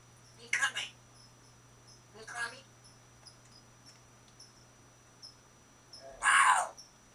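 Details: A 21-year-old female African grey parrot, caged with other parrots and recorded in April 2011, talks in three short, breathy word-like bursts a few seconds apart, the last the loudest, over a faint steady hum.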